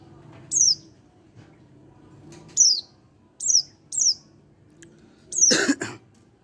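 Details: One-month-old young Oriental white-eye giving short high chirps that fall steeply in pitch, spaced irregularly about a second or two apart; a louder, broad rough burst near the end, otherwise a quiet background.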